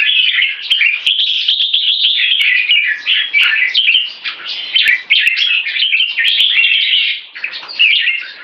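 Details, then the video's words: Red-whiskered bulbul singing one stroke leading to keke: continuous, fast chattering and warbling phrases at fairly even loudness, with a few sharp clicks over the top. "One stroke singing lead to keke"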